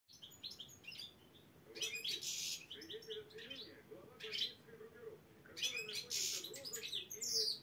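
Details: Black-headed European goldfinch singing at competition qualifiers in Saint Petersburg; bright chirps and buzzy twittering bursts arrive in three clusters after quiet gaps, over a steady low hum.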